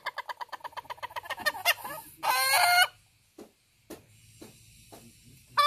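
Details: Ayam Ketawa rooster, a chicken breed from Sidenreng Rappang, South Sulawesi, Indonesia, giving its laugh-like crow: a rapid string of short staccato pulses for under two seconds, then a brief harsh drawn-out note, followed by quiet with faint background rustling.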